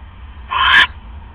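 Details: An owl at its nest box during a nighttime visit at 3:40 AM on October 5, 2015, as a rat is delivered to the nest. A single harsh, hissing screech lasts about a third of a second over a low steady hum.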